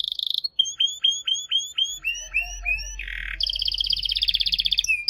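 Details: Canary singing: a high pulsed trill opens, followed by a run of downslurred whistles, a few rising slurs, a harsh buzzy burst, and a fast, bright rattling trill to finish.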